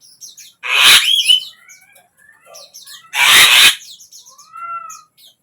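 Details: Javan myna, used to coax a silent bird into singing; two loud broad rasping bursts about two and a half seconds apart, between them thin whistled slurs and a downward-curving whistle.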